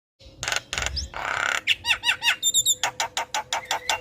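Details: Javan myna singing in the morning, a loud caged-bird master recording: harsh squawks and rasping bursts, then a run of rising ringing whistles and repeated sharp clicks with a faint steady hum behind.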